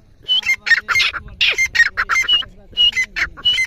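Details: Grey francolin calling steadily: loud, harsh, ringing notes repeated several times a second in an almost continuous series, with faint laughter and voices in the background.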